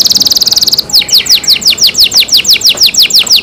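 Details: Canary singing loudly: a fast even high trill, then a long series of repeated descending whistled notes, roughly four to five each second.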